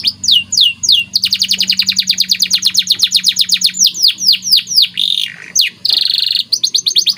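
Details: Pet white canary delivering a training song: swooping downslurs, a long rapid chirp series of about four notes per second, deeper sweeps, a buzzy trill and renewed fast chirping.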